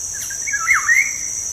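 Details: Black-naped oriole, a lure recording for stimulating caged birds to sing: one rich, flowing whistled phrase that dips low and then climbs again, set against a constant shrill insect hum.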